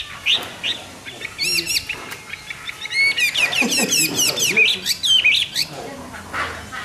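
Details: Morning song of a hwamei: a dense, lively medley of sharp rising and falling whistles and quick trills, delivered in rapid bursts with brief pauses.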